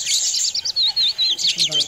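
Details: Colorful budgerigars playing beside their nests give a quick run of high, thin chirps, a series of short whistled notes repeated about every quarter second.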